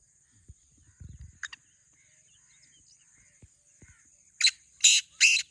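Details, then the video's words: Black francolin, one of two birds in a voice contest, gives a single brief rasping note, then after a quiet stretch with soft low thumps ends on three loud, harsh, scratchy notes spaced about half a second apart. "Black Teetar Voice"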